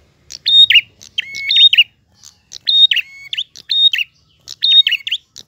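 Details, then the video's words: A prinia sings a lively, flowing song in bright, clear phrases of high whistled notes with quick slurred flourishes, repeated about once a second in short bursts. "Prenjak Gacor Ngalun. Suara jernih."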